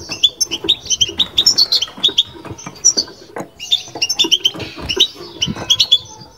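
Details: Babtaba (بتبתה) song by a European goldfinch: lively, continuous high twitters and metallic chirps in rapid sequences, a brief pause midway, faint knocking underneath.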